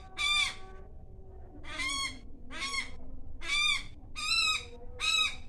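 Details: Asian koel perched in a tree at home on a warm spring afternoon, giving six harsh, grating 'kyaa' calls, each about half a second long and roughly one second apart, over a low background rumble.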